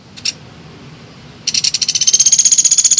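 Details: Lure recording of a woodpecker (pelatuk beras, pelatuk sampit) for trapping: two short high notes, a silent gap, then a rapid, accelerating chatter of sharp high notes that grows louder and holds steady to the end.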